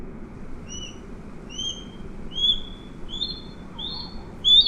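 An osprey gives a run of short, high whistled chirps, about eight in five seconds, rising and growing louder, over a low steady rumble.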